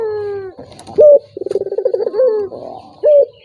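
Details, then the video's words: Turtle dove cooing as a lure for a rival unwilling to call: a trailing low note, a short bright note, then a quavering pulsed coo and another sharp note. "PANCINGAN BURUNG PUTER || COCOK UNTUK LAWAN YANG MALAS BUNYI"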